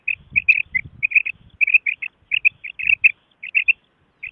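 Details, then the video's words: Common quail calls used in hunting: clipped, sharp chirping notes grouped in twos and threes, delivered rapidly with brief pauses between bursts and a little low rumble early on. "Common quail effects"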